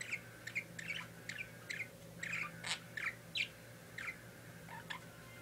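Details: A pet parakeet chatters in a fast, uneven series of bright, chirpy notes, about three a second, some harsher and buzzier. A steady background hum runs throughout.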